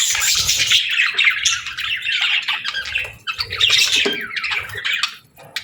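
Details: Budgerigar chatter dominated by harsh squawks mixed with high warbled chirps, rising and falling in short bursts, fading toward the end.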